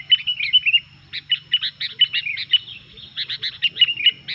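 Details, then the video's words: A Sooty-headed bulbul in top singing form, used to wind up rival bulbuls: quick warbled notes followed by evenly spaced sharp chirps in groups, with a persistent low hum. "SUARA BURUNG KUTILANG GACOR INI BIKIN EMOSI BURUNG KUTILANG LAIN"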